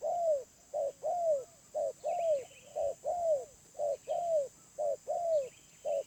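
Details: Wild spotted dove with a medium-pitched voice gives low hollow coos. Short clipped notes alternate with longer downward-arching ones in a steady phrase, about one per second. Faint high chirps from other birds sound behind.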